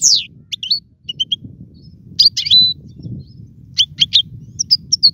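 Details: European goldfinch kept for training young birds to sing: scattered short high chirps and a few clipped whistled notes separated by pauses, sparse rather than a continuous song.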